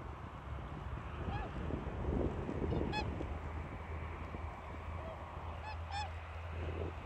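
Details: Adult whooper swan calling as a signal to the flock before take-off: about five short, nasal honking calls spread through the stretch, some in quick pairs, set against constant low wind noise and a distant hum.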